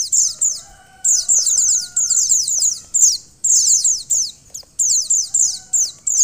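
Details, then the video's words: Female mountain white-eye calling to stimulate a male into singing: bursts of rapid, very high, thin downslurred chirps, several per burst, separated by short pauses, with faint steady tonal whines in the background. "pleci betina untuk mempercepat buka paruh pleci jantan"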